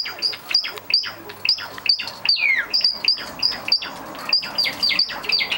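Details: Seven caged Java sparrows, very lively at 6 a.m. while let out of their cage, June 2009, giving a dense stream of high, sharp chirps and squeaky twitters, overlapping several times per second without pause.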